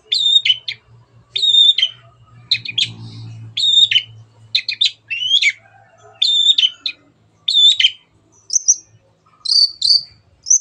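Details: Long-tailed shrike singing energetically in a clear training recording for songbirds: sharp, high notes repeated in paired bursts about once a second, ending in thinner, higher whistled chips, with a faint low hum behind.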